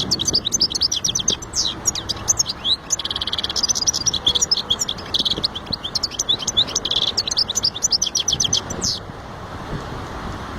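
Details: European goldfinch singing a rapid, sustained twittering song of bright chirps and short buzzy trills, high-pitched and dense, running almost without pause for about nine seconds before stopping; faint low background hum.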